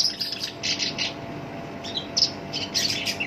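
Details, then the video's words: Kept black-browed reed warbler singing its harsh song, favored to trigger other birds: quick clusters of buzzy, scratchy notes in bursts separated by short pauses. "SINCHAN (KERAK BASI ALIS HITAM) GACOR POL, SUARA KASAR COCOK BUAT PANCINGAN"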